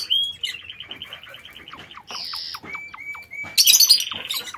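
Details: Lovebirds in an aviary give a fast high trill, then a series of short, clear rising chirps, ending in a harsh shrill squawk burst.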